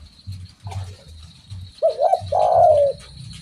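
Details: A single spotted dove phrase from a bird in full song: a faint early note, then a quavering double coo leading into a long, sliding, mellow coo. A throbbing low-pitched hum sits in the background.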